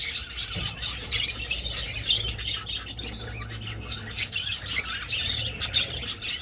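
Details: Many budgerigars in flight inside an old aviary. Busy high twittering and squawks come in bursts, quieter around the third second, then rising again with sharp chirps.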